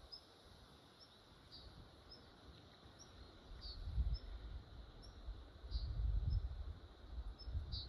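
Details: Red-backed Shrike (Lanius collurio) in Drenthe, Netherlands, 2023, giving faint, short, high chipping notes about every half second, under a steady low rumble of wind.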